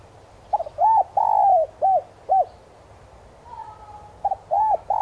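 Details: Spotted dove cooing to lure wild doves, 'son' voice: a full phrase with a long falling coo and two clipped hoots, a faint thin steady whistle, then the next phrase starting.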